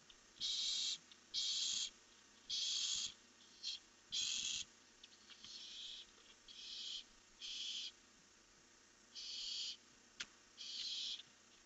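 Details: Night recording of barn owls from a camera, 1 July 2015, as two birds fly off: a long series of about ten rasping, breathy screeches, each under a second, coming irregularly, some louder and some softer.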